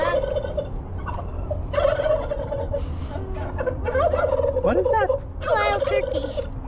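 Wild Turkey gobbles in rapid, rattling bursts, repeated several times over a few seconds, with a person's voice heard in between.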